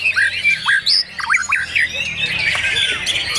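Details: White-rumped shama singing at a murai batu songbird competition in Pondok Cabe, Indonesia, on Sunday 9 April 2023: sharp upslurred whistles and brief bursts of notes in the first half, then dense overlapping chatter from other competing birds.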